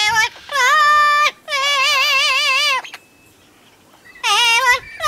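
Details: Late-night singing from a double yellow-headed amazon kept at the UK Parrot Zoo, with two long, wobbling vibrato phrases, a pause, then a further wavering note, voice strong and melodic.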